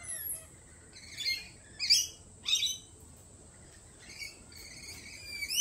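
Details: Lorikeets at a cafe giving sharp, grating screeches and a few thin rising squeals, several loud bursts in quick succession, against a constant high-pitched hum.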